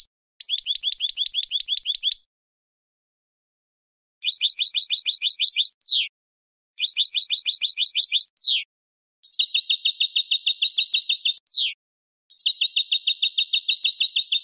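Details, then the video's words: Singing goldfinch: fast, dense trills of rapidly repeated bright notes, each burst ending in a short sharply descending slurred note, four or five bursts with brief silences between. "10 Hours of Goldfinch Song"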